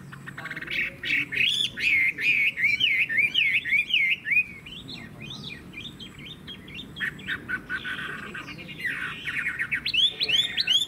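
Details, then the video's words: Singing caged Chinese hwamei: a long series of repeated up-and-down whistled slurs, several per second, then a pause, harsher chattering notes and a fresh burst of bright rising whistles. "Họa mi hót hét tốt - Giọng hay"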